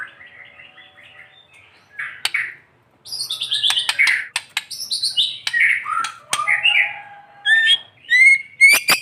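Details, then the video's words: White-rumped shama (murai batu) in morning sun, song used to encourage quiet shamas: varied bursts of chattering, buzzy and whistled phrases at medium loudness with short pauses and sharp clicks. "TEMBAKAN MURAI BATU GACOR BONGKAR ISIAN SAAT DI JEMUR PAGI HARI //PANCINGAN MURAI MACET BUNYI"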